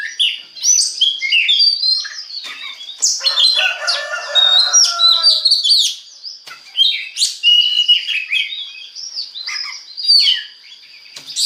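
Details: Kacer, or Oriental magpie-robin, song played to make other birds sing: long varied medley of whistles, chatters, buzzy layered notes and rising sweeps over a steady high tone.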